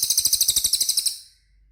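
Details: Cililin song used as a training recording to prompt caged birds to respond: a rapid, very high buzzy trill of about twelve evenly spaced pulses lasting just over a second, then fading to quiet.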